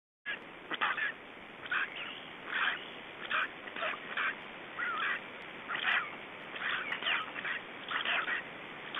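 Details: Black storks in Estonia at the nest during a parent changeover and feeding, 2 June 2012 at 21:54: spaced bursts of harsh, rasping calls, roughly one a second, with short quiet gaps and faint background hiss.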